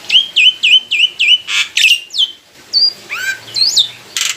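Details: Black-winged myna, a caged mature songbird, in full song: five quick downslurred whistles, harsh rasping bursts, then a rising and falling varied phrase with squeaky twisting notes.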